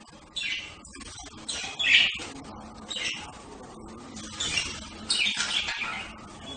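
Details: Budgerigar chirps: short, scratchy high notes repeat about once a second, with a louder warbled cluster near the end over a low background murmur.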